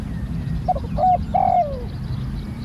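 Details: A Spotted dove, a new bird being trained, gives a single cooing phrase: two short clipped notes lead into a longer, rough-edged coo with a falling tail. A low rumbling noise sounds underneath.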